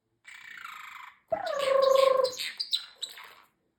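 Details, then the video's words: Pet male parrotlet with a repertoire that includes a fake cough and excuse me; a soft hissy breath sound, then a sharp whistled note sliding down into raspy chattering syllables. "Talking parrotlet"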